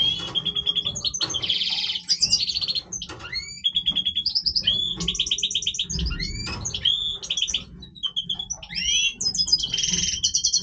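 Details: Major goldfinch singing its breeding song: rapid, dense twittering of buzzy trills, sharp chirps and tinkling whistled notes, high-pitched and nearly continuous with short pauses, over a faint low hum.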